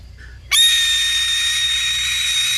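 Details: Harris's hawk, which gives this call while flying or perched on a branch; one sustained, loud, hoarse screaming note that starts abruptly and stays level and grating throughout.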